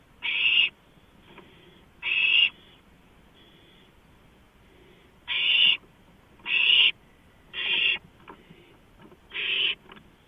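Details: Owl on a porch at 2:05 AM on 5 April 2015, giving six harsh, hissy screeching bursts, each about half a second long, spaced irregularly one to three seconds apart, over a quiet night background.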